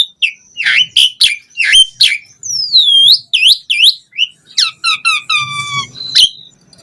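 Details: Asian pied starling (jalak suren) singing vigorously: rasping downward slurs, looping whistled phrases and a run of rapid stacked notes, with a faint low hum beneath.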